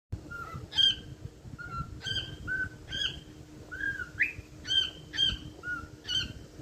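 A cockatiel sings a run of bright whistled chirps, short rising and falling notes about every half second, over a faint low room hum.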